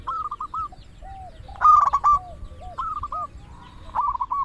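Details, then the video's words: Local zebra dove song meant to excite doves into calling: soft rippling coo phrases with downward-slurred notes, interrupted by one loud stuttering burst, then further gentle coo runs. "Perkutut lokal gacor suara paling ampuh untuk pancingan burung perkutut agar bunyi"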